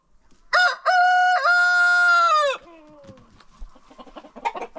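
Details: Rooster on a farm in its daily after-breakfast crowing contest, giving a loud crow with a brief first syllable and a sustained, level, rich second part that drops away, then quiet clucks and scratchy farmyard sounds.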